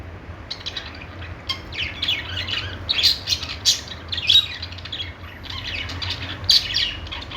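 Budgerigars keep up a busy, high-pitched chatter of scratchy chirps and squawks, bursting several times a second over a faint low hum.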